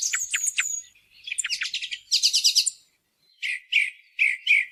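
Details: Song thrush lure call for hunting: a series of thin, high, scratchy notes and rapid chattering trills, a brief pause, then three short repeated whistled phrases, recorded clean without background noise.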